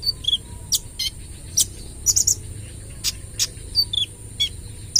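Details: Kolibri ninja sunbird, trotol bird, in full 'AK 47' shooting-style song used as a lure. Short high chirps, downward-sliding whistles and sharp ticks repeat roughly every half second.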